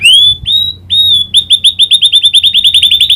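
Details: Canary schooled in the prinia's clicking call gives three drawn-out whistled notes, then launches into a fast, steady string of short high chirps, about seven per second.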